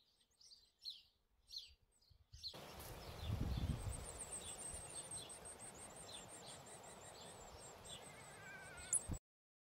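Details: Superb fairywren: three hungry chicks give a thin, very high, rapid run of begging notes while both parents feed them, half-buried under a steady low rumble of wind or handling noise.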